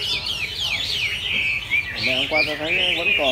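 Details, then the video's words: Chinese hwamei in fresh plumage after its moult, singing all day: loud, high, fluid whistled phrases rising and falling, looping continuously, with a man's voice breaking in near the end. "Hoạ mi đạt đất hót cả ngày"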